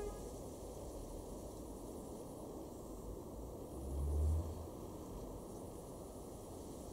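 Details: Quiet low rumble of distant traffic with soft hiss and a brief swell near four seconds, and no animal voice.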